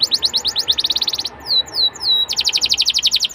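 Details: Young-canary lure song: fast, rhythmic trills of short high notes, interrupted in the middle by a brief series of descending whistles before the trilling returns.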